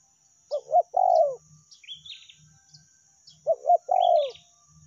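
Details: Spotted dove lure call of the meratus or melambung style: two short clipped coos then a longer, falling, rolling coo, the phrase given twice about three seconds apart, with high thin chirps of small birds and a steady high hiss behind.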